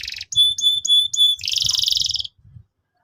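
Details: Canary lure song for training youngsters: four evenly repeated ringing whistled notes, then a fast, buzzy pulsing trill that fades out.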